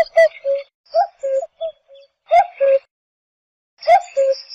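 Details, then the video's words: Cuckoo gives a falling two-note "cuck-oo", the second note lower, repeated about every one to one and a half seconds, with sharp clicks before some calls. "صوت طائر الوقواق"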